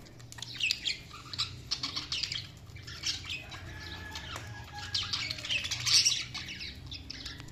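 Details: Budgerigars keep up a soft, steady background of high twittering and chirps with occasional louder scratchy notes and faint low rumble.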